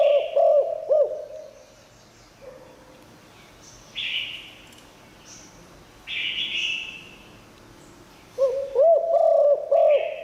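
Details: Spotted dove singing liu tan to lure wild doves: cooing phrases at start and end with looping notes, separated by quiet gaps broken by two loud hissing buzzes.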